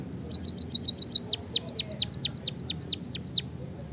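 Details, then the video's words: Rolling canary-like song from a white-headed munia: a brisk trill of high ticks followed by about ten loud, evenly spaced descending whistled sweeps, over faint low hum. "burung pipit bondol haji gacor suara ngeroll isian kenari"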